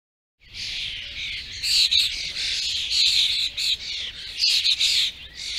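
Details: A common starling, a sociable Central European songbird, pours out a continuous, high chattering song of squeaks, rattles and whistled notes, run together with hardly a pause.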